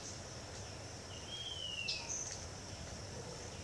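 A single thin, high, slightly falling whistle from a scale-throated hermit, with a couple of tiny sharp notes, over a steady insect drone.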